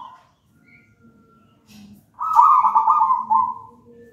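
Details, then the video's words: Zebra dove of local wild stock, originally from a raja banana nest, singing manggung as a tutor bird: after near silence with faint soft notes, one long vibrating coo that slowly falls and fades. "Perkutut manggung gacor"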